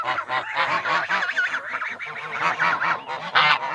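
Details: Several geese making noise as a group: loud, continuous, overlapping nasal honks and cackles with no pause, growing louder toward the end.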